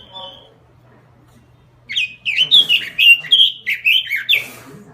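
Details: Robin singing in gacor style, meaning continuous lively song: after a faint high whistle and near silence, a rapid run of warbled, slurred notes begins about two seconds in, dipping and rising at a high pitch, with a low steady hum underneath.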